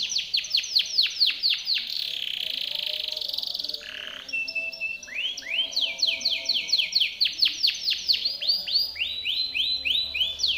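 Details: Timbrado canary singing a powerful song used to train other canaries; quick high falling sweeps, a held buzzy tone, a short gap, then renewed swooping notes repeated about twice per second.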